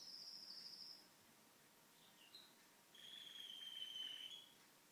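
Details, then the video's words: Pet canary singing indoors while the family watches TV: a high, thin rapid trill lasting about a second, a short pause with faint chips, then a longer buzzy rolling trill near the end over a quiet room hiss. "Canary making beautiful sounds"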